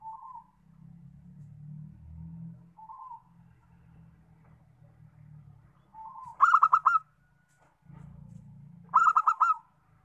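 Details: Zebra dove of a local strain, kept to encourage others to sing. Brief soft single notes are spaced a few seconds apart, then two full phrases of rapid pulsed coos, against a continuous low droning rumble.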